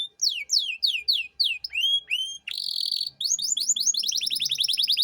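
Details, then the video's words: Singing canary in a training recording for young songbirds such as magpie robins: rapid descending whistled notes repeated in series, a harsh buzzy burst, then a fast rolling trill of sweeping notes. "Masteran Kenari Gacor Cengkok Mewah untuk Burung Bahan"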